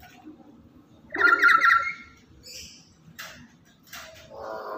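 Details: A lory described as very active every day and very talkative and loud, kept as a lure and tutor for other lories, gives a harsh, buzzy, warbling squawk of about one second, then softer scattered squeaks and clicks.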